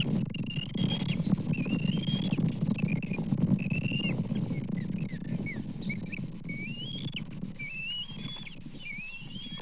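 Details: Bald eagles at a Kansas nest on 24 May 2024, around a breakfast fish delivery with one eagle stealing a fish: high, thin rising whistles and chittering notes, repeated in short runs over steady wind or rustling.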